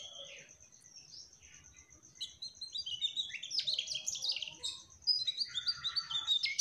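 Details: Mugimaki flycatcher, trotol, singing in gacor style: soft scattered chirps give way to a lively, dense warble of quick high notes, louder toward the end, over a thin constant high hum.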